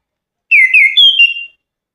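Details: Melodious orange-headed thrush song: a single clear, whistled phrase of about one second, slurring downward, then stepping up to a higher sustained whistle that fades out, with silence before and after.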